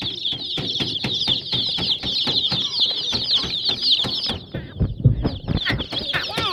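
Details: Colourful young chicks of a hen chirp in a constant high-pitched chorus while rapid, regular tapping clicks sound throughout, pausing briefly before resuming.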